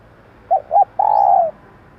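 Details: Female spotted dove voice meant to lure and excite males: two brief soft coos, then one sustained, gently falling coo lasting about half a second. A faint high chirp is heard in the background.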